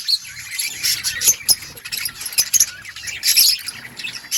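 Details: Budgerigars twittering, a steady high chatter of short chirps and warbled notes with occasional sharper pips.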